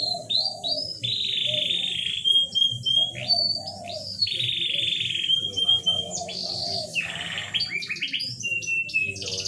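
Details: Canary song played as a lure to bring reluctant, hard-to-breed canaries into mating condition: long rolling trills held high, alternating with low bubbling tours and short chirped notes, with a faint low hum underneath.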